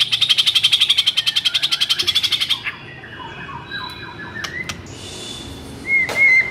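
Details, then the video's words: White-rumped shama singing agitatedly, used to provoke mute shamas into song: a fast buzzy rattle for over two seconds, then softer scattered whistled notes and a final clear rising whistle. "MURAI BATU GACOR NGAMUK .. AMPUUH BUAT PANCINGAN MURAI BISU"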